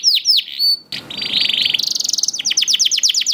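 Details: Canary fledgling (paud) singing, meant to encourage reluctant canaries to join in: swooping whistles, a long buzzy rolling trill rising in pitch, then rapid downslurred chips.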